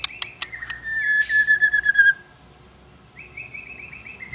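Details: White-rumped shama in competition song, just coming into form: sharp clicks, then a long descending whistled trill, later a higher rapid fluttering trill, over background noise.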